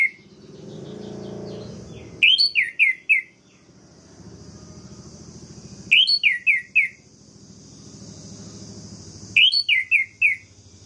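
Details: Orange-headed thrush song meant to provoke rival males: a loud phrase of several quick descending whistled notes repeated about every three and a half seconds, with a steady hum and low background noise between phrases.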